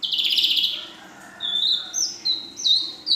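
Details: Young female Ashy drongo, kept bird, in 'full isian' song style. It opens with a harsh buzzy burst, then after a pause gives a series of high, clear whistled notes with abrupt upward jumps, spaced about half a second apart.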